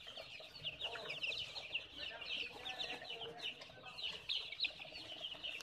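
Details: Constant high-pitched peeping of a group of newly hatched chicks, rapid overlapping cheeps rising and falling in loudness, with some soft fluttering and low background rumble.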